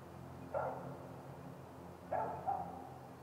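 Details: A great grey owl on a nest cam at a snag nest, 30 June 2018, early afternoon, gives three short, mid-pitched yelping calls, the last two close together, over a steady low background hum.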